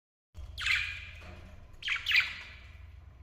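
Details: A pair of lovebirds giving two harsh, buzzy chirps about a second and a half apart, each sliding down from a high screech, with a low steady hum underneath.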